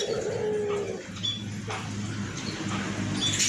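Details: Hoarse-voiced white collared dove (albino puter) giving one low, drawn-out coo at the start, followed by a brief quiet gap and then thin, high chirps from other small birds over a steady background hum.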